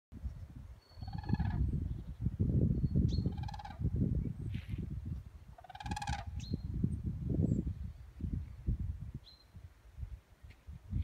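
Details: Common cranes flying over Drolsum, Modum, on 28 March 2016, a sign of spring, give three loud, rolling trumpeted calls spaced a few seconds apart over a steady low rumble of wind or distant traffic.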